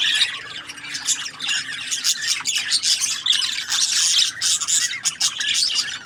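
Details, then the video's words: A crowd of budgerigars keeps up nonstop scratchy chatter, high twittering mixed with grating squawks, swelling into louder stretches around the third and fourth seconds. "Budgies Parrot chirping sound | parakeet sounds"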